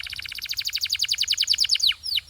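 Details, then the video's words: Training song from a canary: a rapid rattling trill of bright pulsed notes, roughly ten per second, ending in a few long falling slurs. "Transform Your Quiet Canary into a Singing Champion!"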